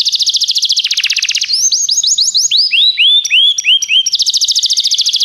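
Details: Belgian canary in full song: a fast buzzing trill, then a series of looping whistled notes, short steady tones, and another rapid trill to close.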